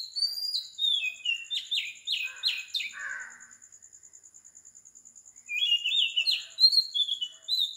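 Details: Before dawn, at 4 am in Sri Lanka, an Oriental magpie-robin sings quick descending whistles and scratchy notes, falls silent for about two seconds, then resumes with fluty phrases; a steady high pulsing hum continues throughout.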